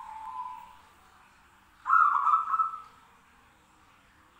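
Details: ['Zebra doves calling back and forth: a soft trailing coo is followed by one loud phrase of rapid pulsed notes that smooths into a level rolling trill, then fades into quiet background.']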